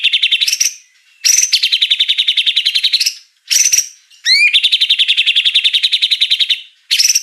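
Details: Murai batu, the white-rumped shama, delivering fill-in phrases: long runs of fast, buzzy repeated notes broken by short pauses and sharp upward-swept whistles, all loud and close.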